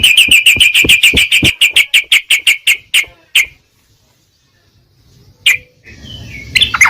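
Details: Trucukan, the sooty-headed bulbul, in a lure recording for birds that have stopped singing. A fast, even series of sharp chattering notes slows and stops, then silence, one isolated note and a short scratchy burst.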